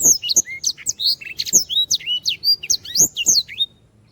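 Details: A canary sings energetically on a training recording, giving quick high whistles, chirps and short buzzy trills in a steady stream that stops near the end.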